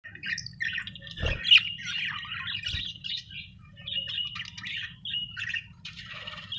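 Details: Happy budgerigar chirping, Australian bird: scratchy warbled chatter with squeaky notes and short buzzy trills, broken by a couple of low thumps.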